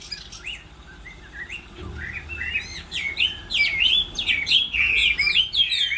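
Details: Chinese hwamei in a moult-season singing contest. After a quiet, sparse opening, the song builds into rapid, varied, loud whistled phrases with sharp upward and downward sweeps, growing more intense toward the end.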